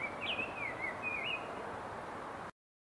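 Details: Rose-breasted grosbeak singing: a short, sweet warbled phrase of rising and falling whistled notes, followed by a brief second whistle, over a steady background hiss.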